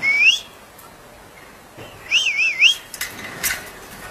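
A grey-backed shrike gives a clear rising whistle, then a quick wavering, warbled whistle, followed by a few short harsh clicks against quiet background hiss.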